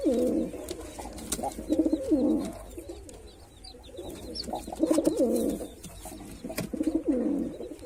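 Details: Male white pigeon performing, with low bubbling coo phrases repeated several times, each a burst of rolling pulses, and faint high chirps from other birds behind, indoors.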